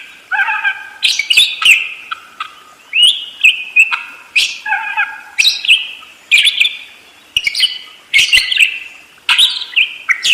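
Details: Budgerigar pouring out a steady rolling chatter of squeaks, clicks and low nasal notes, with short phrases following one another closely.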